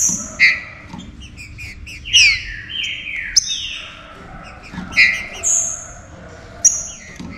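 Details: Trinca-ferro (green-winged saltator) song played to get other saltators active; quick high twitters lead into loud downward-slurred whistles, followed by spaced emphatic phrases with high accents.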